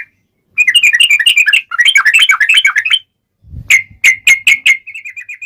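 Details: Sooty-headed bulbul lure song, long rolling style: two bursts of tumbling chirpy whistles, a gap with a low thump, then separate sharp notes ending in a soft quick trill.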